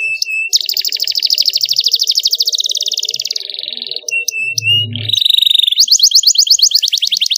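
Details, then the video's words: Canary singing a tutor recording used to train young canaries, described as having a luxurious varied song and a clear voice: loud, very high rapid trills and buzzy rattles change every few seconds, with brief pure whistled notes between them. "MASTERAN KENARI PAUD CENGKOK MEWAH SUARA JERNIH DURASI PANJANG || kenari gacor cengkok mewah"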